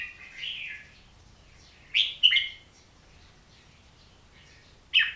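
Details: An Oriental magpie-robin delivers a soft warbled opening, a pair of sharp, bright whistled notes, and after a long pause one more crisp note, over a quiet background.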